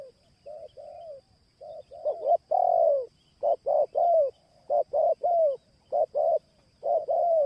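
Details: Spotted dove lure call: quieter opening notes build into a busy string of stuttering double and triple coos with long falling tails, delivered rapidly, over a faint steady electronic hum.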